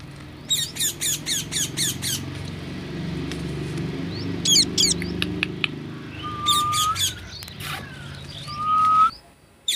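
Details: Parrot delivering a steady series of sharp squawks, then scattered short calls and two drawn-out whistled notes over low background rumble.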